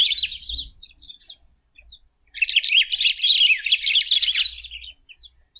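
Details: Golden-billed saltator in song: a short twittering phrase, scattered single notes, then a loud sustained run of quick tumbling high notes that tapers off, over a light low rumble.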